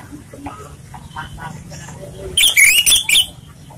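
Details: Orange-headed thrush (anis merah) singing in a relaxed way, used as a lure: a burst of loud, rich, varied whistled and warbled notes, about a second long, after quieter faint sounds and low background murmur.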